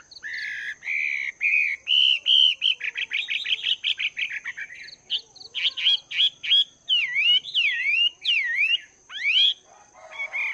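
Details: Morning practice of a caged Chinese hwamei, two months in the cage: a long varied song of rapid warbled whistles that turns into loud, repeated swooping notes dipping and rising, about one per second toward the end.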